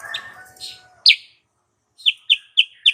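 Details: Sooty-headed bulbul female lure call, said to raise males' breeding urge: faint chirps over a rough background, one loud downslurred chirp, then four sharp notes evenly spaced about a quarter second apart.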